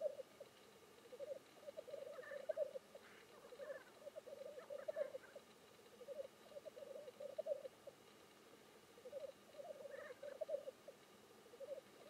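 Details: Displaying black grouse giving a continuous, rolling, dove-like bubbling that pulses in waves, with a few faint, breathy hisses overlaid around two to five seconds and again near ten seconds.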